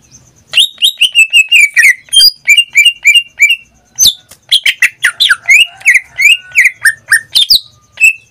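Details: Lively cage song from a pet greater green leafbird: a rapid, continuous stream of high whistled and chirping notes, some rising, some falling, packed closely together.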